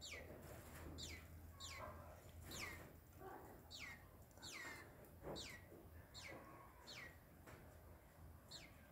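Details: A green-winged saltator gives sharp, downward-sliding notes, repeated more than once a second over a steady low hum; the owner wonders why it behaves this way and whether it is frightened.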